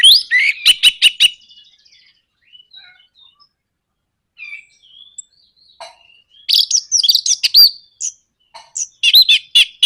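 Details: Orange-headed thrush singing to provoke others into song: rapid sharp clicking notes mixed with slurred whistles, a quiet gap of faint thin whistles, then a dense burst of varied chattering and warbling phrases.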